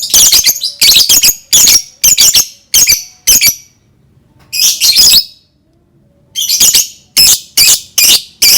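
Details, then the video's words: Lovebird sound used to get other lovebirds singing: rapid runs of harsh, high, rasping squawks in quick series, broken by two short pauses, then resuming in a fast stuttering sequence. "Dijamin Lovebird pasti langsung ikut bunyi"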